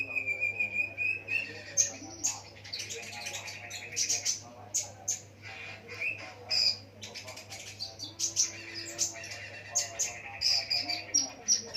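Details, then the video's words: Ruby-cheeked sunbird song filled with mimicked lovebird phrases, meant to lure other sunbirds into singing: dense runs of sharp, high chirps and short buzzy trills in irregular bursts, a brief lower whistle near the middle, steady low hum beneath. "konin isian love bird | bisa memikat konin lain ikut gacor"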